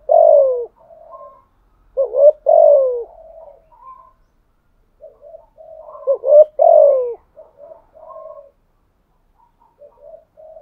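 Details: Spotted dove used as a decoy, cooing continuously: repeated low, hollow phrases of a short note and a longer falling coo, with soft trailing notes between them, over about ten seconds.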